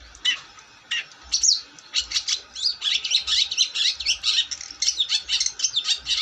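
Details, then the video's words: Long-tailed shrike singing vigorously, a dense rapid chatter of scratchy and whistled notes after a few separate harsh calls, running almost continuously for several seconds. "Burung cendet gacor"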